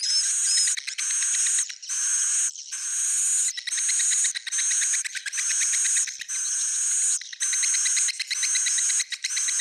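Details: Swiftlet buzzing in steady pulses about once a second, each burst rough and grainy with a rapid rattling texture beneath a high whistle; old-style "jadul" sound.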